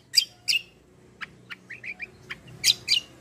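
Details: Black-winged myna singing with energy: two loud sharp chirps, a string of soft clicks and short whistled slurs, then two more strong chirps, over a low background hum.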